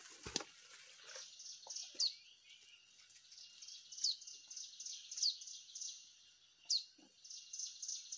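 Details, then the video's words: Hill prinia recorded during a bird-trapping outing in Indonesia, its call used as a lure: bright, high chirping phrases of quick repeated notes, with sharp downward-slurred accents near two, four, five and seven seconds; a loud knock opens. "Mikat prenjak gunung / Cigun"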